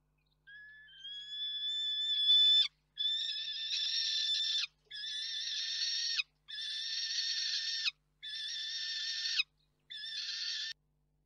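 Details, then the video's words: At Reda, Poland, on 3 June 2023, a young female peregrine falcon comes in to roost and screams at an adult: a thin rising opening cry swells into harsh, loud screeches repeated about every one and a half seconds. "sokół wędrowny - Hela zawitała na nocleg i wywrzeszczała dorosłego amatora"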